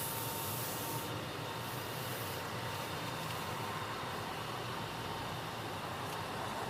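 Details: Steady broadband mechanical hiss and rumble, like a train or air conditioning, runs throughout with no animal calls.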